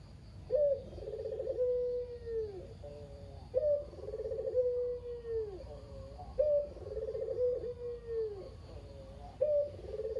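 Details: Local Barbary dove, a lone kept bird whose female mate died, described as very talkative; its calls serve as a lure to get other doves singing. Rolling mid-pitched coos, each ending in a long falling note, repeat about every three seconds.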